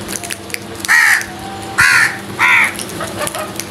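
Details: Three loud, grating caws from crows attacking food, spaced under a second apart, each a short harsh burst over a steady faint hum.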